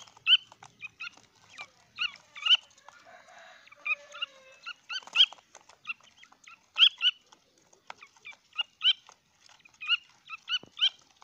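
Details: Grey francolin (Ortygornis pondicerianus), chick calls.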